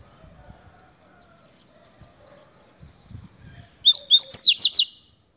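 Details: Double-collared seedeater x Buffy-fronted seedeater hybrid singing: a quick burst of high, sweet whistled notes, about four per second, after a near-silent lead-in with faint low thumps.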